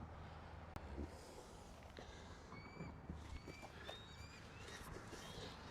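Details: A bald eagle perched far off at the top of a tree on Vancouver Island, with another nearby, on a chilly day, gives a series of thin, high, squeaky gull-like chirps, slightly slurred, over steady low wind rumble and handling noise.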